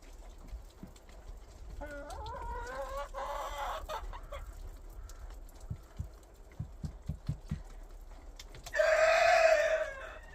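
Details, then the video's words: Hens in spring, with a series of short clucks and a rising, wavering cackle, low taps in between, and a loud drawn-out squawk near the end over steady background noise. "Spring Funny Hens, sounds of nature"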